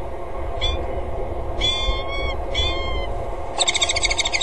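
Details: Female peregrine falcon on the gutter edge of the Axel water tower, 07:54, 25 February 2013, calling and walking closer before the male flies in to mate. A few short wails give way to a rapid, harsh chattering burst.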